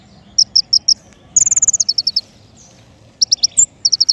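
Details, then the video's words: King konin, recorded as a trapping lure: four spaced high chirps, then a fast descending trill of clipped notes, a pause, and further quick chirp groups. "PIKAT KING KONIN SUARA PANCINGAN"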